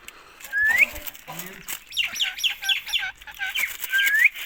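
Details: Indian ringneck parakeet kept as a pet, with a rising whistle followed by a rapid, evenly spaced series of short chirps. Two more upswept whistles close the passage over a steady background hiss.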